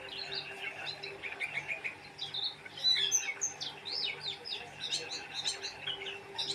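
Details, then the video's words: Oriental white-eye singing vigorously: dense high twittering of quick slurred chirps and short whistles in rapid overlapping bursts, a faint steady hum below. "Burung pleci gacor"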